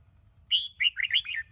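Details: Red-whiskered bulbul of the Sông Kôn type, morning song used for training. One short phrase of clear whistled notes that sweep and warble, opening with a bright high note, then several quick descending slurs.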